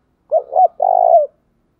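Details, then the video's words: Spotted dove kept as a decoy for luring, giving a soft low phrase of two quick hooting notes and then a drawn-out, slightly rough coo that drops in pitch as it ends. The background is quiet. "chim cu mồi gáy chuẩn nhất"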